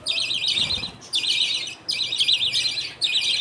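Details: Budgerigars at feeding time, with the father feeding their two baby budgies as the mother looks on; four grating, buzzy high bursts separated by short gaps, plus a faint low thump.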